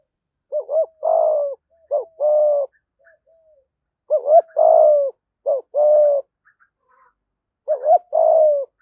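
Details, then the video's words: A 'giọng thổ' decoy spotted dove calling wild doves in. It repeats a low phrase five times: one or two clipped hoots, then a long even coo that slides down slightly, with short gaps between phrases. "cu gáy giọng thổ gáy gọi bổi rừng & bổi nhà gáy theo"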